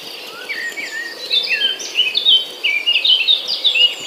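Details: Chicks calling from the nest while the mother is off finding food: quiet start, then a loud rapid series of sharp downslurred and upslurred squeaks, overlapping, over a faint insect background.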